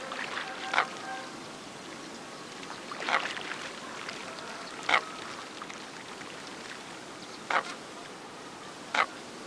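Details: Andean coot on Lago San Pablo near Otavalo, Imbabura province, Ecuador, repeating single sharp, punchy notes every one to three seconds, five in all, against low continuous background noise.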